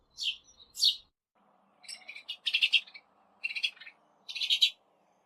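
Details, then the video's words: Sparrow chirping, recorded with 8D audio, in short high bursts of buzzy notes in groups, with pauses between them, over a faint steady low hum. "SONIDO DE GORRIÓN"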